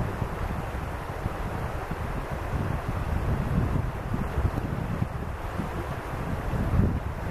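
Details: Steady rumbling wind buffets the microphone throughout, with dense low-pitched roar and no animal voices audible.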